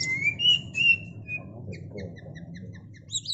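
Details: Mating white-rumped shama, known locally as murai batu, gives clear, sustained whistles that step upward, then a string of fast, evenly spaced short ticks, and a final high squeaky flourish; low background hum throughout.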